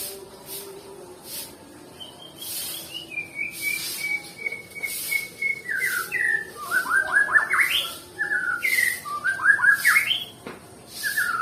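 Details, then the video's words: A Nias white-rumped shama, presented as a bird that rarely sings, opens with drawn-out level whistles, then bursts into varied rising and falling chirps and sweeping notes, with short pauses between phrases. "Murai batu yg males bunyi ya seperti ini contohnya"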